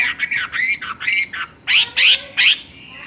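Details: Chinese hwamei song, somewhat subdued: several soft warbled phrases first, then three loud, rich, down-slurred notes spaced about a third of a second apart.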